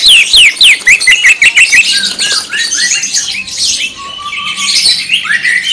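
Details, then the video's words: Greater green leafbird singing in the rapid 'tembakan' style. It opens with fast repeated falling squeaks, then moves into dense high chatter with a steady level whistle and a closing rising note. "CARA BUAT BURUNG CUCAK IJO CEPAT GACOR SUARA TEMBAKAN"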